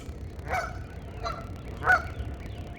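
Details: Geese talking with each other, described as a mating call, give three short nasal honks, spaced about a second or more apart, over a low rumble of background noise.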